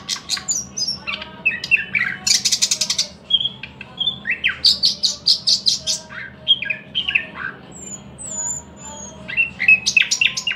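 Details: Thrush nightingale in full song, mixing a hard rapid rattle of repeated clicks with whistles, chirps and thin high slurs, delivered in dense phrases with short gaps, and a low background hum throughout.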